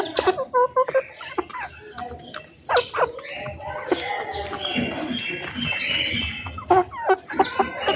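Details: Birds calling at home in the morning: short clucking notes in quick rhythmic bursts mixed with scattered chirps and overlapping calls, over a busy background of other household sounds.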